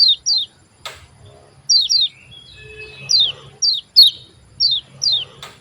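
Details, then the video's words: Lure song of a Javan white-eye, played to make lazy white-eyes open their beaks and sing: clean, high, sliding-down 'ciak' chirps in pairs, repeated about every second, with a faint low hum beneath. "CIAK JOS KECIAL KUNING BIKIN KECIAL MALAS BUNYI EMOSI IKUT GACOR"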